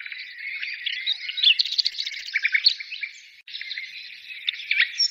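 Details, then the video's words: Birds singing in a dense, continuous chorus of overlapping chirps, twitters and short whistled notes, with a brief break near three and a half seconds before the twittering resumes; no other sounds stand out. "birds singing"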